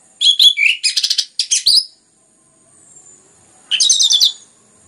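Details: Singing orange-headed thrush, recorded to prompt other birds to sing more. Quick varied phrases of buzzy and whistled notes fill the first two seconds, then after a quiet gap comes a rich stuttering burst.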